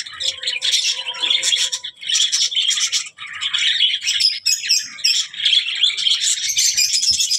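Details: Budgerigar alternating grating squawks with quick warbled chatter in repeated bursts, with a faint low hum underneath early on.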